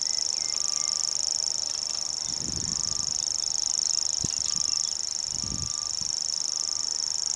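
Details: At Belvide Reservoir in April 2016, a grasshopper warbler reels steadily in a high, rapid, ticking trill. Thin, level whistled notes from another bird and some soft thuds can be heard beneath it.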